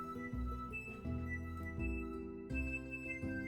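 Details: Gentle instrumental music with soft plucked notes repeating in a slow pulse and sustained tones; no animal voice is heard.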